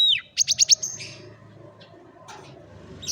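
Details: Canary singing for training a lazy bird: a quick downslurred whistle, then a fast series of four or five loud high chips and a buzzy trill, fading to quiet with a low hum.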